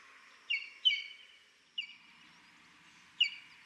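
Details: Abrupt, slightly descending notes from a Buff-crested Bustard in Buffalo Springs National Reserve, Kenya: a close pair, a single note, then another lone note after more than a second, over low background noise.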